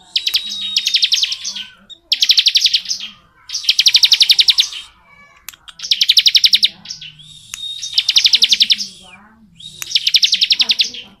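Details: Bar-winged prinia in long continuous ngebren singing: bright bursts of rapid, evenly pulsed high notes about a second long, repeated with short pauses, a faint lower chatter between bursts.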